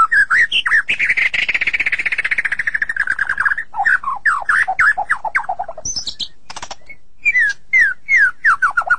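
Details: White-rumped shama described as sulking, delivering a fast buzzy trill-like run, then rich descending whistled phrases and scattered sharp high notes, with loud repeated bursts toward the end.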